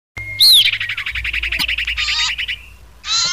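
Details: Common iora lure call used for trapping birds: a clear rising whistle, then a fast buzzy trill of repeated notes, a pause of harsh rasping bursts and a final loud buzzy burst.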